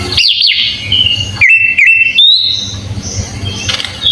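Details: Sooty-headed bulbul full fill-in song, kept as a master recording for training birds: sharp zigzag whistles open, followed by two flat whistled notes and a higher drawn-out tone, then quieter trailing chatter over background noise.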